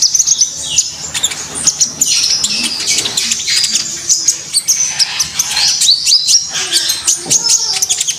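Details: Common iora in steady, lively song used as a master recording for training songbirds; dense high twittering phrases with slurred whistles and rapid chips pour out almost without pause, with a few faint lower sounds beneath.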